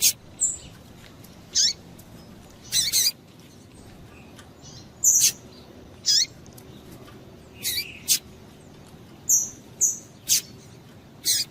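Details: Female double-collared seedeater calling to stimulate males. Frequent short chirps with downward sweeps come in ones and twos, interspersed with thin whistled notes, about a dozen calls in total over soft hiss.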